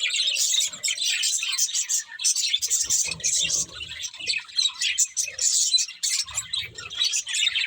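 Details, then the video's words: Pet budgerigars chattering in a busy flock of high, scratchy twitters and warbles, with faint low background sounds in a few spots. "Cute Budgies Chirping Sounds"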